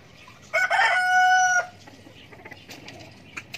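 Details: Hens drinking water and eating food alongside rabbits: a single loud, drawn-out harmonic squawk lasting about one second, followed by faint scratching and rustling.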